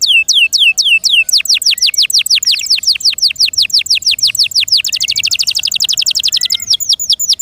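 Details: Canary kept at home singing a long, loud phrase of falling whistles that speed up into a quick rattle, then a very fast high trill before easing off.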